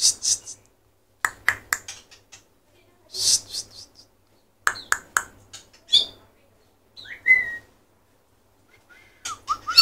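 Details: White-rumped shama (murai batu) singing: short bursts of sharp clicking and chipping notes separated by pauses, with a few slurred, rising whistles toward the end.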